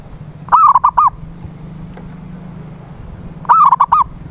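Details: Perkutut, or zebra dove, lure call meant to get a mute dove singing: a brisk burst of rounded, stuttering coo notes, then near silence with a low hum, then an identical phrase about three seconds later.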